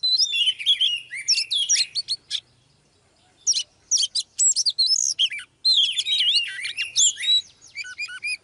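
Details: Oriental magpie-robin female, live, drawing a male to sing: dense tumbling phrases of looping whistles and quick chirps, a short silence around three seconds, then renewed fast, varied warbling to the end.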